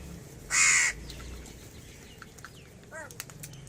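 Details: A single loud, rasping caw from crows gathered to feed, with faint thin chirps from other birds afterward.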